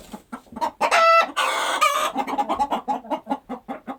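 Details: Farm chickens going about their day. Scattered clucks build to a shrill squawk and a long raspy cackle, followed by a steady, evenly paced series of gentle low clucks.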